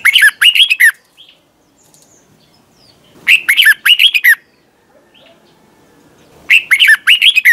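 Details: Red-whiskered bulbul in singing competition, recorded for training: three bursts of fast, chattering, warbled notes, each about a second long, separated by roughly two seconds of near silence with faint distant chirps.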